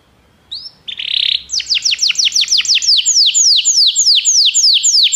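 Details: Belgian canary opens with a soft note and a short buzz, then delivers a steady, regular trill of descending whistled strokes, roughly three to four each second.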